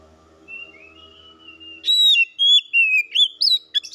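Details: First-place Oriental magpie-robin from a singing competition: a thin drawn-out whistle over a faint low hum, then loud, clear whistled phrases in quick succession, rising and falling.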